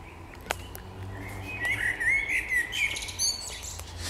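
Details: Spring birdsong: a single sharp click, then a quick run of warbling, wavering chirps mixed with very high thin twittering notes, several bursts within about two seconds, over faint low background rumble.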